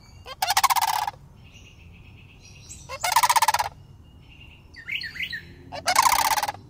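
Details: City-dwelling juvenile sandhill cranes, two birds approaching a person, iPhone recording: three rolling, rattling calls spaced about two and a half seconds apart, with soft chirps from smaller birds in between.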